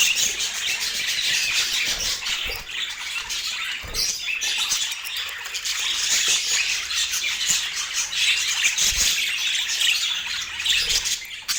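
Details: Several pet budgies in a home chatter and warble nonstop, producing a busy mix of high twitters, squeaks and rapid scratchy notes, with occasional soft knocks.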